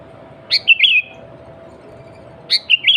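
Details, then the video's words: Loud sooty-headed bulbul song for luring other bulbuls: two quick phrases two seconds apart, each a sharp high note dropping into warbling, liquid whistles, with a steady low hum underneath. "Kutilang Gacor Suara Asli Tanpa Isian, Sangat Cocok Untuk Pancingan Kutilang Bahan Dan Ombyokan."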